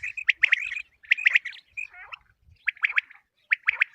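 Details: Common quail calling, used as a hunting lure for morning use: sharp three-note phrases near the same pitch, repeated about once a second with short silent gaps between groups.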